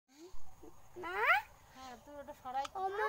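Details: Pet Alexandrine parakeet, called sandalwood bird, talking like a human: short, rising and falling voice-like phrases with harmonic tones in quick bursts over about three seconds, with faint music in the background.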